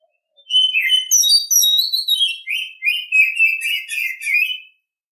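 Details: Morning song of an Oriental Magpie-Robin, a lively stream of clear whistles and rapid warbling notes, starting high and descending into a busy, repeated chattering phrase.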